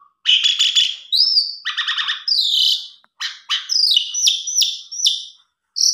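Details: Rich, varied Asian pied starling song meant to prompt a lazy or stressed bird into singing: dense chattering bursts, rattling buzzy notes and sharp whistled upslurs repeated quickly, with short gaps.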